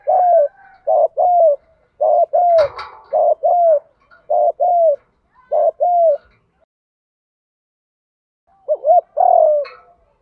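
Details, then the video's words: Decoy spotted dove cooing to lure wild doves in 'gù thúc' style: steady low mellow coos, each a quick rise then a slurred fall, in a run broken by a brief thump, then a pause before more. "chim cu gay moi thuc gu cu datgay giong hay, cu gáy giọng đồng gù thúc, cu cườm gáy giọng hay"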